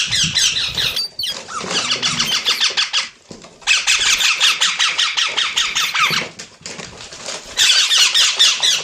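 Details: Parrot chatter in bursts of rapid squeaky chirps, several seconds long, separated by short silences, with faint low rumbling in the background during the pauses.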